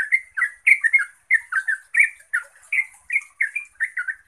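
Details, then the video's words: Yellow-vented bulbul in full rapid song, meant to make other bulbuls respond: a steady stream of short liquid chirps and bubbling double notes, packed closely with barely a pause. "Trucukan bakal NYAUT dan GACOR setelah dengar BURUNG Trucuk ini NGEROPEL"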